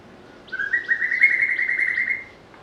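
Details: White-rumped shama, known for sweet, varied song and mimicry, utters one sustained rippling whistle lasting about a second and a half, finely pulsed and nearly level in pitch, preceded by a short lower note.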